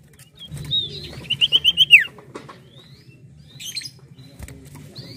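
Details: Common Iora song: a run of five quick, even whistled notes closes with a steeply falling slur. Light background chirps and a low hum accompany it.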